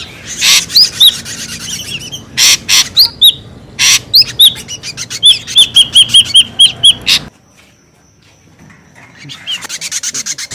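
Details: Ashy drongo noisy lure calls mixing loud rasping bursts with sharp hooked whistles, ending in a rapid string of short whistled notes; after a near-silent pause, softer rasping calls resume.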